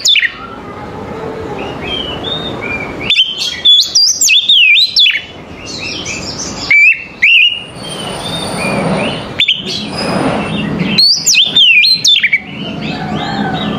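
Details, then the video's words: Oriental magpie-robin in morning song, varied whistles and harsh chattering notes delivered in bursts, with quieter gaps holding low background rumble and a faint steady high tone. "TERAPI KACER PAGI HARI"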